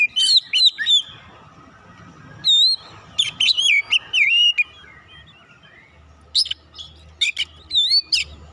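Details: Oriental magpie-robin song of fighter character, used as therapy; loud bursts of varied whistled and chattering phrases, sweeping and warbled notes in clusters separated by short pauses, faint low hum beneath.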